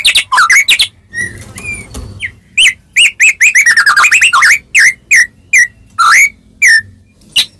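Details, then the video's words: White-rumped shama singing melodiously to make other shamas answer: a few whistles and soft level notes, then a quick descending cascade of clipped notes, ending in a series of bright upslurred whistles roughly every half second. "Suara Merdu Murai Ini Selalu Berhasil Buat Murai Apapun Langsung Nyaut"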